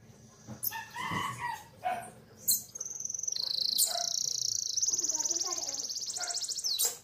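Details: Canary singing in the morning to encourage other canaries to sing: a few lower harsh notes open, then a long, rapid, high trill of evenly pulsed notes lasting about four seconds.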